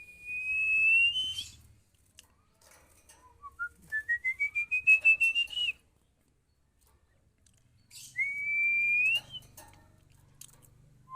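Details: Training call of a female Oriental magpie-robin: a long rising whistle, then a run of quick notes climbing in pitch, and another drawn-out upward-sliding whistle; faint clicks in between.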